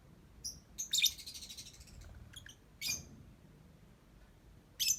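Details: Lovebird song with a scratchy, high twittering burst, a few isolated sharp chirps, and a loud shrill note at the close over faint background hiss.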